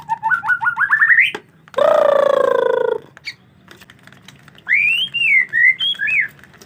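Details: White-rumped shama in wet-season weather, reluctant to bathe: a rapid run of rising whistled notes climbing in pitch, a harsh rasping one-second buzz, then looping fluty whistled phrases.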